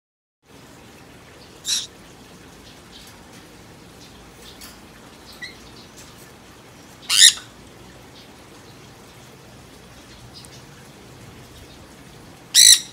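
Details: A young Green-cheeked conure playing among globe amaranth flowers gives three short, harsh, high squawks spaced several seconds apart.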